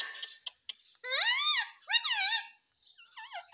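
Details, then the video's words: Indian ringneck parrot talking, mimicking "mummy papa": a few sharp clicks, then a long, loud harmonic syllable that swells and bends, a second arched phrase, and softer wavering notes at the close. "Mummy Papa Bolne Wala Tota || Talking Parrot || Sweet Ringneck Parrot Talking"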